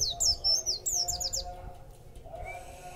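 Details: After a feed of extra food, a caged white-eye gives a brief, lively phrase of high, falling and wavering chirps that fades out midway, leaving a faint low drone.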